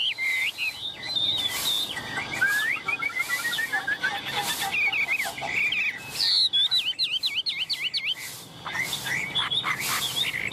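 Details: Chinese hwamei, very tame and confident while handled and teased, delivering a rich whistled song: fluty slurred phrases, a fast trill-like stretch, then bright repeated upward-sweeping notes, with brief handling noises between.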